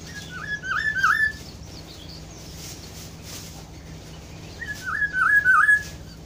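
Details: Kepodang hutan, or black-throated oriole, repeats a mellow phrase of dipping whistled notes twice, about four seconds apart, with faint high twittering from other birds early on.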